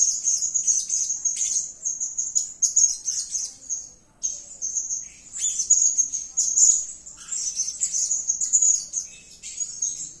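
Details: Lively calling from a blue-crowned hanging parrot: long runs of shrill, high twittering notes packed tightly together, briefly pausing around four seconds before resuming with sharper, stronger bursts.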